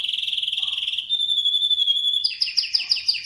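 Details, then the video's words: A canary of the Atlantic species sings a quick pulsed trill that smooths into a pure sustained whistle, then jumps into a run of rapid repeated downslurred notes. "Atlantic Canary sings in an amazing voice"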